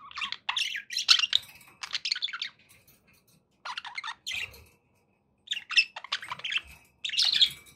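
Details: Pet budgerigars chattering indoors: bursts of scratchy, warbling squawks and chirps in clusters of about one second, separated by short pauses, with a faint low hum beneath.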